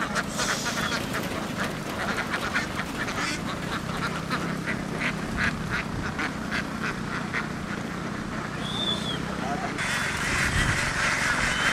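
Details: Vietnamese laying ducks herded from the fields toward a boat give a busy chorus of short, nasal quacks, rapid and irregular for ten seconds, then fade under broad hissing noise near the end.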